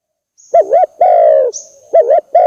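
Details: Spotted dove lure call used in trapping: wavering double notes followed by a long, steady coo, repeated twice, with a faint high whistle briefly audible.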